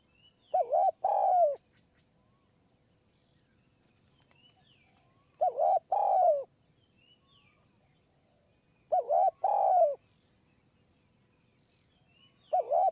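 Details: Spotted dove on a perch, Kanchanaburi high forest, Thailand, during decoy dove trapping, in a bout of 170 coos; four paired-note phrases repeated roughly every three to four seconds, mellow and mid-pitched, with faint bird chirps.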